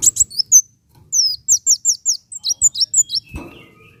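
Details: Van Hasselt's sunbird song played to stimulate caged birds to sing: rapid series of high, thin descending whistled notes and chips, repeated in quick bursts, with a soft rustle near the end.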